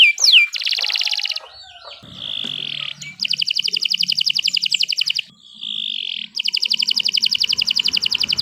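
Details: Canary song built from a short sweep, then long buzzy rattling trills broken by a sustained whistled tone, with soft low rumble beneath.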